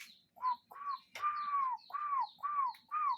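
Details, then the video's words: Cuckoo in nature giving a series of six arched, throaty notes about half a second apart, one longer and louder in the middle, with thin high bird chirps between them. "Relaxing Cuckoo Bird Sound in Nature"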